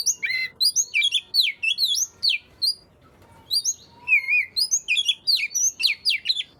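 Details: Song of an Oriental magpie-robin, played to get reluctant magpie-robins singing: quick sweeping whistles, a pause, then a wavering warbled note followed by clipped high chirps.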